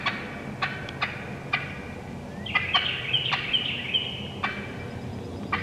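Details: Wild turkey hens calling: several loud, sharp cutts spaced unevenly, then a fast high string of yelps with bright squeaky notes, followed by more scattered clucks, no hunter calling.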